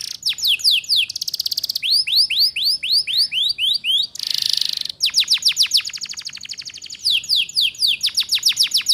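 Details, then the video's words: Canary singing a pancingan lure for young birds learning ngeriwik: long runs of quick rising slurred notes repeated several per second, interrupted by a loud harsh buzz near the middle, then more rolling trills. "Suara Pancingan KENARI Paud Cepat Belajar BUNYI Ngeriwik"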